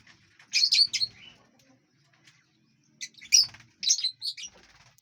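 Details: Lovebirds eating and flying in a spacious aviary produce two clusters of rapid, high, shrill chirps, one early and one late, with near silence between.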